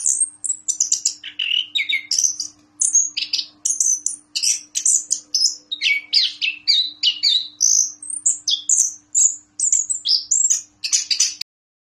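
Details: Orange-headed thrush, a caged contest bird that once won a presidential cup in Yogyakarta, sings continuously: loud, clear, varied whistled and chattering phrases, high and fast, with a faint steady hum underneath.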